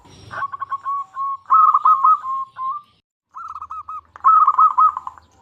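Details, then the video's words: Local zebra dove in Indonesia, a lively singer used to coax other zebra doves into song; soft cooing trills near one pitch, rapid bubbling notes in phrases with short pauses, faint low hum behind. "Perkutut Lokal Gacor Suara Paling Ampuh Untuk Pancingan Burung Perkutut Agar Bunyi"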